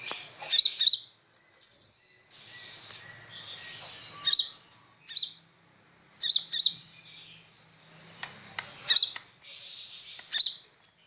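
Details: A sunbird, locally called kolibri ninja, singing quite vigorously: bursts of high, thin twittering notes and sharp chirps arrive in clusters every second or two, with brief quiet gaps between phrases.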